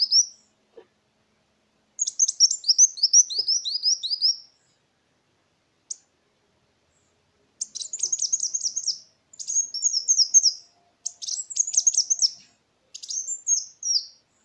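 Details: Kolibri wulung sunbird song used as a lure for tutoring songbirds: bursts of rapid, very high, thin descending notes, about three per second, in several phrases separated by short pauses.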